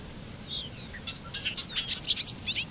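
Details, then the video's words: Bobolink song: soft opening whistles lead into a fast, bubbling cascade of bright, metallic notes that build in loudness. "Canto del Charlatán"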